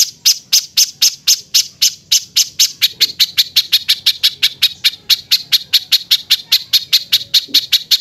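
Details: Rough 'tembakan kasar' bird phrases compiled as masteran for training songbirds such as Cucak ijo and Murai batu: rapid grating high notes, evenly spaced and speeding slightly, sounding clean and loud.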